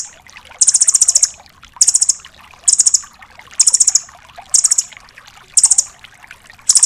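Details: Velvet-fronted nuthatch (rambatan doraemon) singing tembakan bursts for training other songbirds: six very high rattling trills of six to eight rapid notes, each about half a second long, repeated roughly every second, with soft hiss between.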